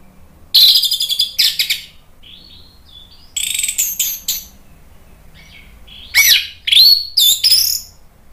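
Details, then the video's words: Orange-headed thrush song played to stir a bird into singing: varied high whistled phrases, some buzzy and some with clear upward and downward slurs, in separated bursts with soft quieter notes between. "PANCINGAN ANIS MERAH biar EMOSI jadi NYAUT BUNYI GACOR NGEPLONG"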